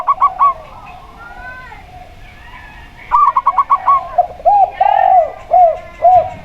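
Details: Local zebra dove, perkutut, paired with a spotted dove as a lure. Opens with a short burst of clipped notes, then a longer run of fast staccato notes and a held coo. Repeated arched coos from the spotted dove follow.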